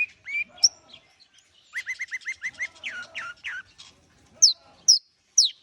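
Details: Long-tailed shrike warming up with song: a quick series of about seven short whistled rising notes, then three down-slurred whistles, followed after a pause by three high sharp chirps.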